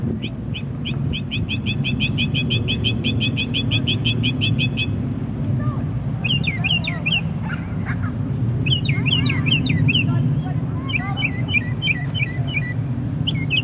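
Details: Unidentified songbird singing in the middle of the night with a varied repertoire. It opens with a fast run of repeated high chips, then shifts to looping whistled and warbled phrases, over a steady low rumble.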